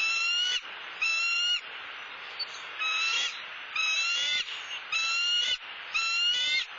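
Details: Wild Southwest Florida bald eagle at the nest, the male carrying grasses and sticks after a turtle delivery. Steady run of shrill, level whistles, about one a second, with a noisy hiss between them.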